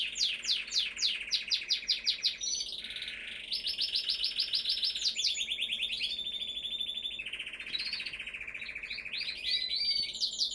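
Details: Singing canary delivering fast rattling trills broken by short swooping whistles, shifting between high and lower repeated-note passages, continuous throughout.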